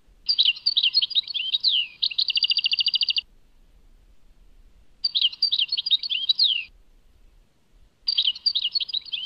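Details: Singing European goldfinch, Tadmait: three phrases of bright twittering, the first ending in a long rapid trill, each separated by silent pauses of about two seconds.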